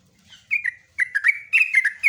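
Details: Sooty-headed bulbul, called trucukan, giving lively gacor song: three short bursts of chattering, bubbly notes, each phrase a quick up-and-down warble.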